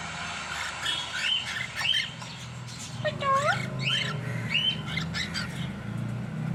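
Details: Two cockatiels kept as a pet pair make a string of chirps and rising whistles. One call dips down and then swoops back up, set against a droning low-pitched background.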